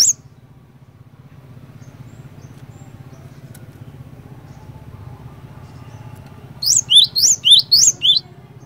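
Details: Cinereous tit (glatik batu), a bird in full song, used as a lure to make other cinereous tits start singing: after a long steady low hum, a short burst of about six loud, high, whistled two-part notes, rising then falling, alternating quickly.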